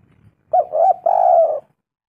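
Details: Spotted dove call used as a lure to draw replies: a short coo and a doubled coo, then one long, level, mellow coo that fades at the end. The background is quiet.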